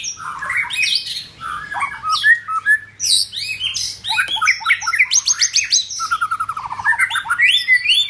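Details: Loud, varied song of a White-rumped shama during form building: swooping whistles, sharp high notes, and a fast trill of repeated notes near the end, over a steady low hum.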